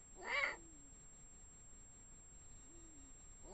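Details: Eurasian eagle-owl pair, female and male calling, Eifel, Germany, 16 March 2017 around 1:01 am, caught by automatic cameras at least about 200 m from the nest: a loud hoarse rasp, two faint deep wavering hoots two seconds apart, another rasp.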